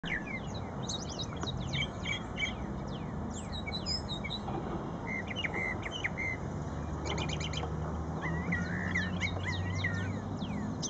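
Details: Brown thrasher singing at Shred-It Pond: a long run of varied, sharp chirped and slurred phrases, high and bright, some given twice in quick succession, with steady low background rumble throughout.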